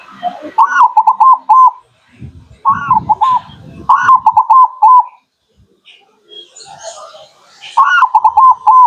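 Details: Zebra dove, or local perkutut, cooing as a lure for wild birds: short rolling phrases of quick soft coos repeated every second or two, with low thumping handling noise and a few higher chirps from other birds between.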